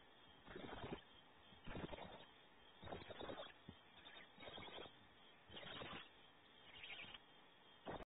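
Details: Barn owl at a nest cavity at Audubon Starr Ranch, California, where the father brings prey, gives harsh, breathy half-second hisses repeated unevenly every second or so, over a low background rumble.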